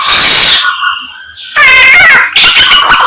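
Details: Greater racket-tailed drongo, locally samyong, performing a song stuffed with other birds' voices: a loud burst, a quiet gap with faint tones, then rich harmonic warbling and buzzy whistles.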